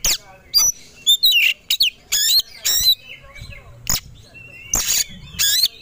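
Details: White-rumped shama, a caged songbird provoked to sing aggressively and ready to fight: loud bursts of high, harsh chattering notes and sharp whistles, separated by brief pauses, with faint low background noise.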